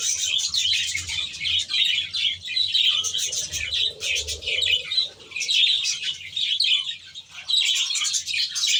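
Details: Aviary budgerigars calling together, bursts of high chirps and warbling chatter rising and falling in loudness, with a few wing flutters.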